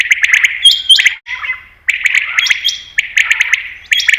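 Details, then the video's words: Common quail sound played to attract quail for hunting. Harsh buzzy phrases with steady high whistled notes and dry clicks, broken by a short silent gap near the middle. "Batair Ki Best Awaz , Batair Sound , Common Quail New Sound For Hunting 2022"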